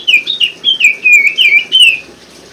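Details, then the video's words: Common Iora from a lure recording for birds that have gone quiet: a rapid chattering run of about eight bright, wavering slurred notes that rise and fall, fading at the end. "pancingan sirtu macet bunyi & malas bunyi"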